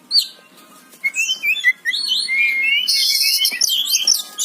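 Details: Oriental magpie-robin (kacer) song opening with a few short whistled notes, then a long run of loud buzzy, mimicking phrases and rapid high twitters.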